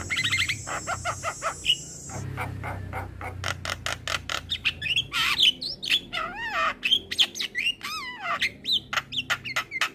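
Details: Calling male Javan myna, its voice used as a lure for other mynas. Quick series of sharp clicks and chirps, then wavering whistled notes that slide up and down, mixed with harsh squawks and a brief buzzy hiss at the start.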